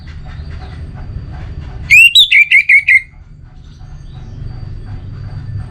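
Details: Orange-headed thrush singing one short, loud phrase: an upswept whistle then about five quick, evenly spaced descending whistled notes lasting about a second, surrounded by faint low background noise.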